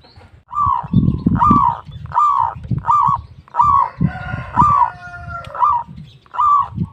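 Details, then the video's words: Local zebra dove cooing in a steady series of short warbled phrases, roughly two per second, over continuous low rumbling noise. "PERKUTUT LOKAL GACOR"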